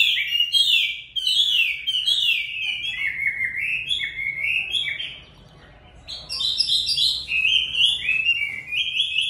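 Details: Chinese hwamei singing on a very cold day: long, rapid, tumbling whistled phrases full of varied notes, a brief pause midway, then another burst of bright, loud warbling.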